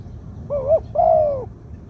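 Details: Spotted dove, two-kuk 'ku-ang' song style, medium voice: a quick wavering note followed by a drawn-out hollow coo easing down at the close, in quiet surroundings.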